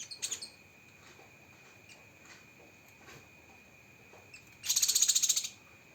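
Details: Cucak kinoi song used as a training recording with rapid-fire 'tembakan' phrasing: one short, high, buzzy pulsed burst near the end, with a faint steady background tone and scattered soft ticks.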